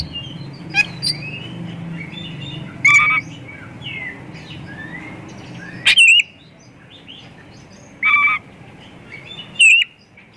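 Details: Oriental magpie-robin singing persistently, its song packed with varied phrases, used as a lure to prompt other magpie-robins to sing. Harsh buzzy bursts recur every two to three seconds between soft whistled twitters, over a steady low hum.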